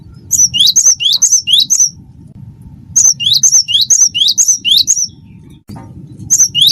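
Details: Persistent cinereous tit performing wingko song: sharp, high whistled phrases, each a quick dip and lift, given in runs of five to six, then a short silence and another run, with soft low background rumble.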